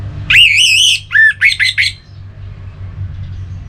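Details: Song of an orange-headed thrush, used to get kept birds singing, from Singaraja in North Bali: a long wavering whistled note, then several shorter slurred notes in quick succession, followed by quiet low hum.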